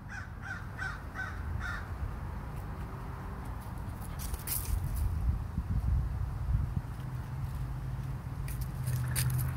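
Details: A crow in Minnesota makes odd chittering sounds, a rapid string of about six short, scratchy mid-pitched notes at the start, then only a steady low hum with scattered faint clicks.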